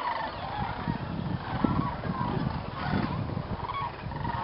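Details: Thousands of wild sandhill cranes gather at dusk in a viewing field at Jasper-Pulaski State Fish and Game Preserve, Indiana, during stopover before roosting in the swamp; overlapping rolling calls form a steady chorus over low rumbling background noise.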